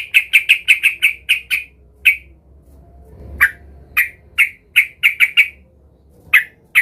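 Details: Sooty-headed bulbul, agitated and seeking a rival, used to provoke other bulbuls into singing: short, sharp, mid-high notes repeated rapidly in a run, then spaced singly and in small clusters with irregular gaps, over a faint low hum.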